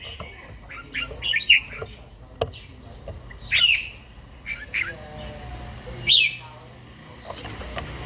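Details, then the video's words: Caged older red-whiskered bulbul during morning song practice in the forest-voice style: scattered brief warbled phrases, bright and slurred, over a steady background hum with occasional clicks. "chàomào HÓT SÁNG"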